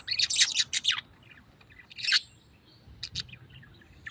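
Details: Tame pet parrot giving harsh, noisy squawks in quick bursts, a cluster in the first second, another near two seconds and a pair near three seconds, with quiet gaps between.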